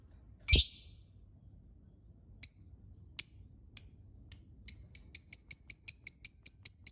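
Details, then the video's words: Lovebird calling: a loud sharp squeak, then high clipped chirps that speed up into a steady series of about three per second, over a low background hum. "Suara lovebird"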